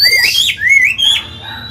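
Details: Short snatch of an old Chinese hwamei's forest-voiced song for training newly caught birds: a few clear whistles sliding upward and a loud rising slur, then a fading note.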